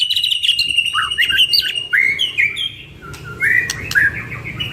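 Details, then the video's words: Two caged white-rumped shamas used as a training lure for other songbirds sing varied phrases of slurred whistles and chattering notes, with brief sharp clicks mixed in and faint background hiss. "Duo GACOR !! Burung MURAI BATU Full isian MASTERAN PANCINGAN"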